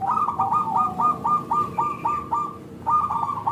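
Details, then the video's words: Local zebra dove calling to prompt other doves to respond: a steady stream of short, hooked coo notes, several per second, with little pause between them and faint background hum. "Perkutut Lokal Gacor SUARA Kristal TEBAL Jitu AHLINYA UNTUK pancingan perkutut NYAUT"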